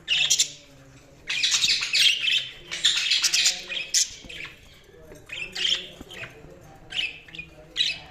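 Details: Budgerigars chirp in long buzzy, scratchy bursts, one lasting over a second, followed by shorter sharp squawks every second or so above a low murmuring warble.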